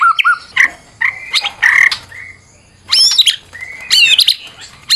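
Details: White-rumped shama, a fighter bird, singing a full-variety lure song: scratchy bursts, level whistles and sharp high chips in loud phrases with short gaps.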